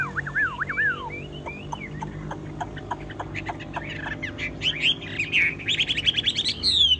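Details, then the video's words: Chinese hwamei kept as a caged songbird: downward whistled slurs and scattered clicks at first, building to a rapid, loud run of high whistled notes at the close. "Họa mi thuần đét đẳng cấp hót như máy bộ cực đẹp lắc lồng vẫn hót"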